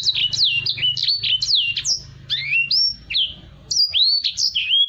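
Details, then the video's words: Black-throated canary singing energetically, a song offered as a tutor for other birds: rapid high whistled notes sweeping down and up, chained in quick varied phrases with brief pauses, over a low steady hum. "EDEL SANGER GACOR~cocok buat burung masteran"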